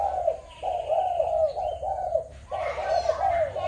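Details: Spotted doves, Malaysian, Thai and Cambodian birds, 21 November 2022: rapid chain of rounded coos at mid pitch, nearly continuous for several seconds, with faint chirps and a higher tone heard behind.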